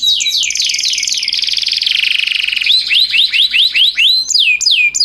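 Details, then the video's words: Canary singing a master song in the luxurious cengkok style for teaching other canaries: loud whistled notes sweeping downward, a fast buzzy trill, then spaced rising-falling slurs repeated about every half second. "masteran BURUNG kenari cengkok mewah, masteran BURUNG kenari cengkok unik"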